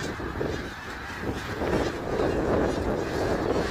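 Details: Middle Creek Wildlife Area, 3 March 2022: a snow goose flock's overlapping honks rise in intensity over a few seconds into a loud, dense clamour.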